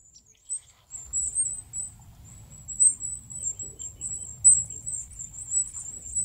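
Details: Free-living goldcrest giving a very high, thin, continuous run of tiny wavering notes, unbroken for several seconds, with low rumbling background noise.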